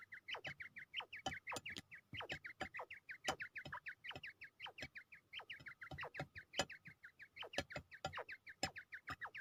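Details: A fighting quail from Pakistan, ready for a fight, keeps up a quick, unbroken run of short, downward-hooked chirps, with frequent crisp clicks and taps between them.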